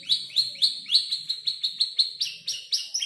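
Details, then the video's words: Five-month-old canary learning its song from tutor birds; sharp rising chirps repeated about four times a second, growing slightly louder toward the end. "Kicau burung kenari gacor noto lagu U 5 bulan"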